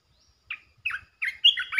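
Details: Calling red-eyed bulbul, the territory holder, in the calling style: a lone note, a pause, then a pair and a fuller, richer cluster of warbled whistles near the end.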